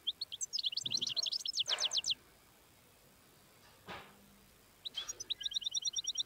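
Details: Wild European goldfinch song: rapid bright twittering phrases of high, sharp notes in bursts, pausing for about three seconds between runs, with one soft low noise in the gap.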